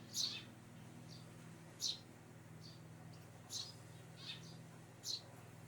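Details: Eurasian tree sparrow hiding out, giving short, high, sharp chirps spaced one to two seconds apart, about seven notes, some fainter, over a steady low mechanical hum.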